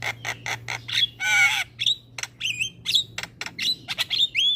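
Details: Javan myna kept in a cage, singing vigorously with head-bobbing display: sharp clicks, a harsh buzzy squawk, then repeated whistled notes that rise and bend, given in quick succession over a low background hum.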